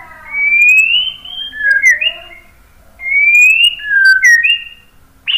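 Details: White-rumped shama song for prompting other birds to sing: two clear phrases, each a rising whistle followed by slurred downward notes, with a quiet pause between them.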